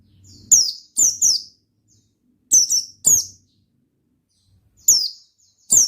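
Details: Lively Oriental white-eye in ngalas song, meant to get other birds singing. High, downward-sweeping chirps come singly and in doubled pairs, spaced by gaps of one to two seconds, over a faint low hum.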